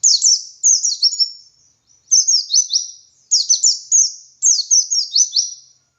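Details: White-eye (pleci) singing in the ngalas style, kept as a master recording for training other white-eyes: four quick bursts of high, sweet, tumbling notes, each phrase a string of down-slurred chirps ending in a trailing whistle.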